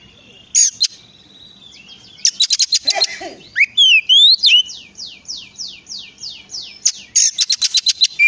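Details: Oriental magpie-robin song used to prompt other magpie-robins to sing: loud, varied high whistles, rapid clicking bursts and a series of repeated upslurred notes, with short sharp chips at the end.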